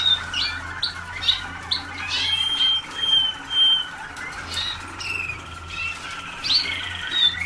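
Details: Young Waterslager canaries in a 2010 song school, only a few days into song training: overlapping high chirps and slurred notes, with long, thin, steady whistles held near the middle and soft background hum.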